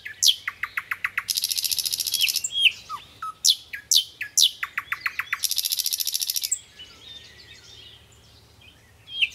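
A nightingale sings loud, varied phrases: rows of sharp repeated notes, rich rattling trills and brief high whistles, separated by short pauses.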